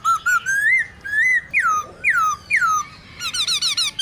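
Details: Wild-style song of a black-throated laughingthrush, played to spur captive birds into singing: rich whistled notes that rise and then swoop down, repeated several times, ending in a quick run of higher chattering notes.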